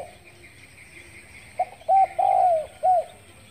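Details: A spotted dove coos in the morning after a quiet second and a half: a quick soft note, a short coo, a long downward-drawn coo, then one short arched coo.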